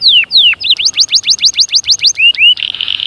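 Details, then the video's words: Canary song intended to spur chicks to sing and prepare hens: two drawn-out downslurred whistles, a quick zigzag series of repeated notes, a rising slur, and a closing buzzy trill. "غناء وتحفيز خرافي لأجبار الفروخ على التغريد وتجهيز الأناث فورا جربهاcanari bird singing"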